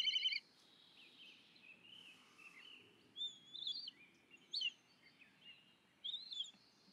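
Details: A black kite gives a begging call: thin, squealing whistles that slide up and down, in short bursts a second or so apart, over faint background hiss.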